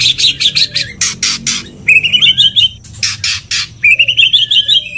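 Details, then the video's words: Male white-rumped shama courting a female in mating calls: raspy, harsh churring bursts alternate with bright, rising whistled warbles, repeated about every second, with no other sounds. "Pancingan murai agar Birahi cepat Kawin"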